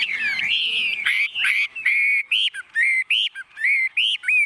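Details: Tame Chinese hwamei in a cage singing a long steady whistle followed by a string of clear, evenly spaced rising whistled notes, about a dozen in a row.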